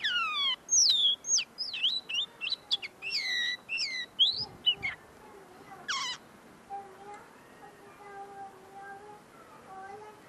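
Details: Common linnet, tame and singing at close range while still refining its song: a fast burst of high descending slurs and twitters with a harsh buzz, fading into quieter lower tones.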